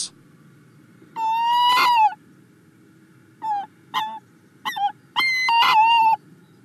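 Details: In Hungary on 20 February 2024, a female tawny owl, just after laying her first egg, calls her mate with harsh, nasal calls: a drawn-out wail, three short clipped notes, then another long wail.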